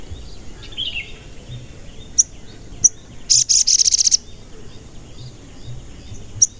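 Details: A crimson sunbird calling cuit cuit, played to lure and excite other sunbirds; a few isolated sharp high ticks, then a loud rapid run of very high chirps lasting about a second, with soft twittering in the background.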